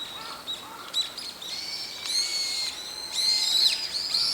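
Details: Brown-eared bulbuls, several birds in daytime: scattered short chips at first, then sustained shrill squealing calls with bending, stacked harmonics, overlapping and growing louder toward the end.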